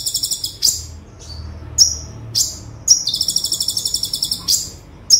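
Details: Olive-backed sunbird in tembakan song, used as a tutor recording: opening rapid trill, spaced high sharp falling chips, then a long buzzing trill of about twenty pulses; low rumble in the background.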